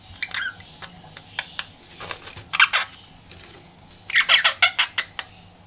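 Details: Pet budgerigar flirting, giving soft scattered ticks and chirps that build into a quick run of rasping, chattering notes toward the end, over a low background hum.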